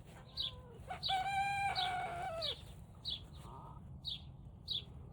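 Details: Turken chicken just learning to crow at about 5 am: a strained, wavering crow held for over a second with a downward break, followed by short high squeaky calls repeated about once a second, with people screaming and laughing nearby.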